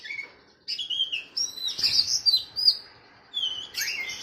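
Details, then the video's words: Captive oriental magpie-robin training song against a sooty-headed bulbul: fluid whistled notes sliding up and down, linked into a lively run, then a quieter pause and a final rising phrase. "KACER VS KUTILANG || MASTERAN 2 MENIT LANGSUNG NYAUTTT"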